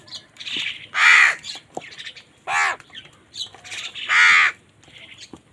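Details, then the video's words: Harsh, loud crow caws while birds fight for food: three strong rasping calls about one and a half seconds apart, with fainter calls in between. "কাকের ডাক Crow Sound Crow ki Awaz Loudly | Crow bird Fight for Food"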